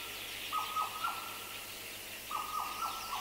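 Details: Black parrot song among other birds, including a Madagascar cuckoo: two phrases of level whistles, each with short downslurred notes, over a steady hiss of background chirping.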